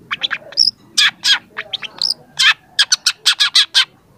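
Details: Young long-tailed shrike in full song, used as a training recording: rapid series of harsh, broadband notes mixed with short whistled upslurs and chattering bursts, delivered in quick succession.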